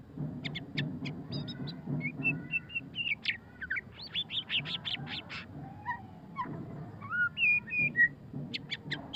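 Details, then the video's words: White-rumped shama (murai batu pastol) singing in the ngeriwik style: rich, varied phrases of sharp high whistles, rising and falling notes and quick chattering bursts, tightly packed, over a steady low background hum. "suara kicauan burung murai batu pastol ngeriwik - white-rumped shama"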